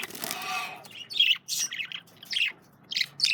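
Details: Male budgerigars at a meal of carrots; a rough noisy burst opens, then bright high chirps come in short separate bursts.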